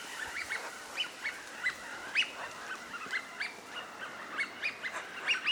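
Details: Eurasian wigeon flock at a park pond (Junsai-ike Ryokuchi, Chiba, Japan) in April 2025, winter visitors before spring migration, giving clear high whistled calls rising then falling, overlapping every half second or so over a low background hum.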